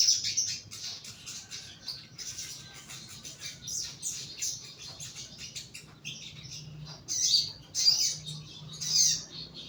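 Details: Caged young crimson sunbird, kept low as therapy, producing running high twitters, then a few louder sharp chirps near the end, with faint low hum throughout.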